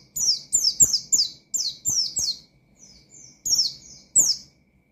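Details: Oriental white-eye calling out opponents with ngalas song: a brisk run of loud, high, descending whistles, then a softer fainter passage, then two more strong notes. Faint clicks are heard throughout.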